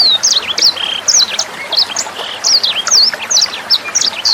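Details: Sanger bird singing as a tutor recording for training songbirds such as Murai Batu, Kacer and Cucak Hijau, and young sangers, over trickling water: a fast, continuous run of high whistled slurs, sharp upswept and downswept notes, and short trills.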